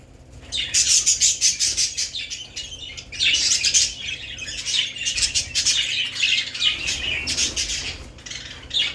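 Budgerigars chatter in a busy stream of high, scratchy chirps and warbles.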